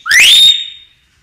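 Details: Common hill myna giving a lure song: one loud, clear whistle sweeping up from low to high pitch, then holding a steady high note that fades out within a second, with no other sounds.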